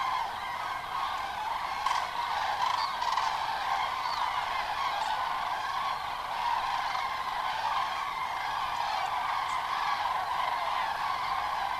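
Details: At sunset on 31 October 2015, masses of common cranes fly into the Kelbra reservoir basin to spend the night after feeding on fields by day; a sustained wall of ringing trumpeted calls from countless birds, with a few sharper notes.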